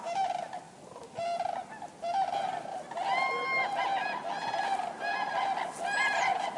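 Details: Chorus of common cranes, with clear, ringing, bugled trumpet calls breaking out in bursts over a steady backdrop of overlapping honking from many birds.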